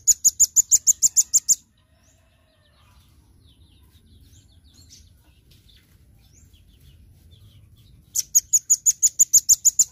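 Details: Velvet-fronted nuthatch giving 'gacor' masteran song: a quick run of about ten high, hard chips, a long quiet gap of six seconds, then another fast rattle-like series begins.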